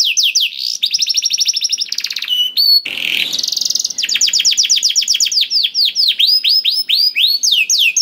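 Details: Canary song for prompting a reluctant canary: quick trills of sharp chirps, a short harsh rasping burst near three seconds, then rolling series of swept whistles.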